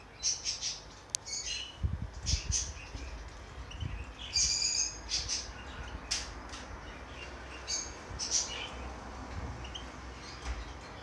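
A goldfinch hybrid gives bright, high twittering chirps in scattered bursts, a few more tinkling notes among them, over low knocks and bumps.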